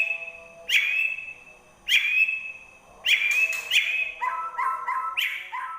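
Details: Kept white-rumped shama from Indonesia, said to be ready for singing contests: loud whistled notes sweeping down, given roughly once a second, ending in a run of quick lower bouncing whistles.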